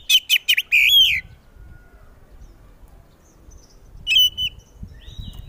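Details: Oriental magpie-robin, a contest songbird, singing loudly to draw answers from other magpie-robins: a quick burst of sharp notes and a rolling warble, a long quiet gap, then a brief whistled phrase.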